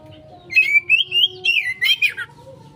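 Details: An Oriental magpie-robin sings a jumpy lure song intended to get a quick response: a wavering, rising and falling whistled run breaking into buzzy notes, heard against a soft low hum.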